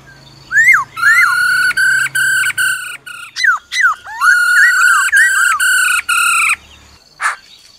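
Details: Whistled forest-style phrases of a black-throated laughingthrush sung over the female's continuous buzzy, pulsing trill, with slurred zigzag whistles woven through, ending in one sharp note.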